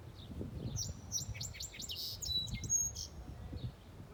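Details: Unknown bird in a small tree in a park on a July afternoon, giving a quick series of high sharp chirps and thin whistles, with low rumbling background noise.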